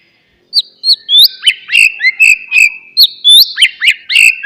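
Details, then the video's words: A white-rumped shama sings in a lure recording for reviving a quiet bird: high clear whistles opening into a varied, jerky sequence of sharp chirps and sliding notes. "MURAI BATU BENGONG,, DIEM .//. LANGSUNG RESPON DENGARKAN KICAUAN INI"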